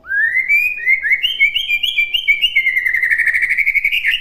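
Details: White-rumped shama phrase for songbirds to learn: a rising whistle, then a long string of short, evenly repeated whistled notes that warble and climb slightly toward the end.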